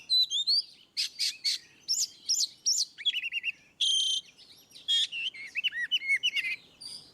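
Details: Oriental magpie-robin in ngeplong song, meant to stir rarely singing birds into response: dense rapid medley of looping whistled notes, harsh buzzy bursts and chattering trills, continuous with hardly any gaps.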